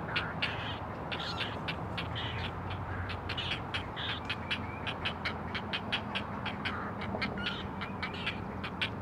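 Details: Four great blue heron chicks at a nest watched by a Chesapeake Conservancy live camera, calling to their mother: rapid, harsh, clicking ticks repeated several times a second, overlapping throughout, over a steady low rumbling background.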